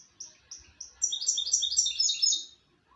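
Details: A European goldfinch sings: three short high notes spaced evenly, then a fast tumbling run of bright twittering trills and chirps lasting about a second and a half, ending in a rising note.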